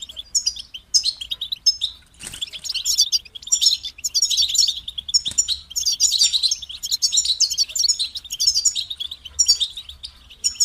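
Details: Song of a kept European goldfinch: a long stream of fast, high chattering twitters and silvery trills broken by short pauses, with two soft clicks and a steady low hum behind.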